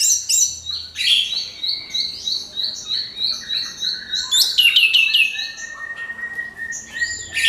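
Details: Orange-headed thrush giving a crystal-clear pancingan song used to provoke other birds into singing: rapid, varied, ringing whistles and chattered phrases, with repeated bright notes and quick slides between high and mid pitches.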